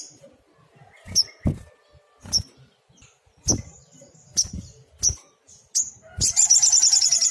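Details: Sunbird known as sogok ontong in energetic tembakan song used as tutoring material: repeated sharp high chips roughly every half second with low thuds beneath, ending in a loud, rapid high trill.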